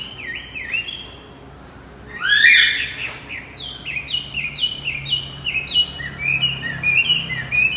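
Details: Lure song of a male Javan white-eye, meant to restart a silent male. One loud harsh burst, then a steady string of high downslurred chirps repeated several times per second.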